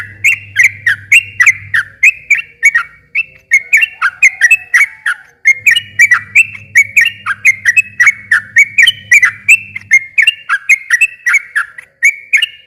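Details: Sooty-headed bulbul in long, lively 'gacor ropel' song, meant to prompt a quiet bird to answer. Rapid bubbly whistled phrases tumble almost without pause, rising and falling, over an intermittent low electrical hum.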